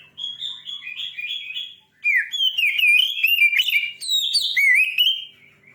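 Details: Oriental magpie-robin in fierce song. Soft repeated whistles lead into a loud, fast cascade of varied slurred and trilled notes lasting several seconds.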